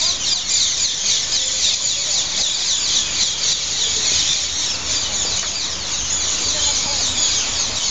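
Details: Hundreds of green parrot-like birds gathering at evening on a few trees in front of Heidelberg main station, noisily squabbling over roost places; a dense, unbroken wall of shrill screeches and squeals from the massed flock, steady throughout.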